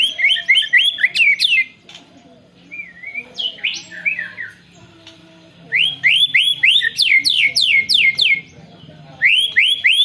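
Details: Long rolling canary-style song of a white-rumped shama, recorded on a phone: fast bursts of sharp, descending whistled notes in rapid series, broken by a short slurred warble and pauses, then the rapid run resumes.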